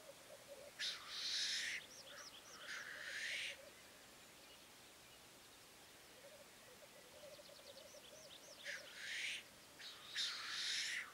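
Black grouse giving loud, harsh sneezing hisses, four bursts over ten seconds, above a faint, low, continuous bubbling murmur.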